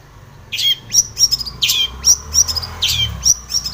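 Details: Long-tailed shrike singing a lively full-fill song used as a lure to make other shrikes sing: sharp, high chirps and downslurred whistles in quick uneven bursts, with a low hum underneath.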